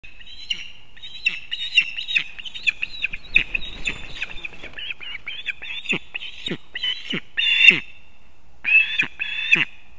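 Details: Osprey at a nest in a bent old pine in Kurzeme, Latvia, as the father brings fish for the chick at breakfast, September 1, 2024: a rapid run of high, shrill whistled chirps, then slower, spaced piercing whistles.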